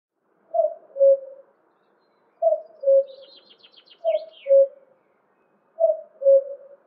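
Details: A male common cuckoo gives its mellow, falling two-note 'cuck-oo' four times, about every one and a half seconds, while a small bird adds a brief high twittering trill.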